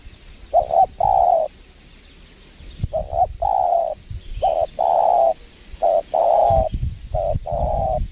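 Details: Spotted dove calling while being lured at a windy location, the wild bird cautious and not aggressive: several phrases of a clipped double note running into a long, smooth coo, some low wind rumble between phrases.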